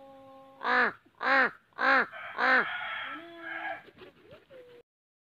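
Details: Four evenly spaced, harsh, nasal caws from a slender-billed crow, followed by a drawn-out hoarse note and a few softer, wavering calls that fade into silence.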